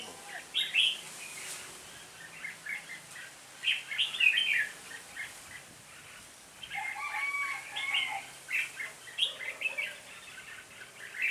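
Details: Red-whiskered bulbul acting as lead decoy, calling a flock in during bird trapping on 26 November 2017: bursts of bright, warbling chirped phrases with pauses between them, plus lower whistled notes in the middle of the recording.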